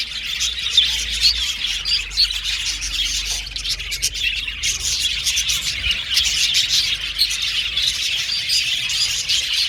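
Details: Crowded budgerigar colony in an aviary: steady high-pitched chatter from numerous birds, overlapping chirps and squawks without pause, with a faint low rumble beneath.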